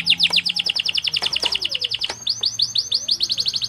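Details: Canary singing a fast cengkok tutoring song: a quick run of sharp chirps, then a steady series of bright downward-curving whistles, with a faint low hum underneath.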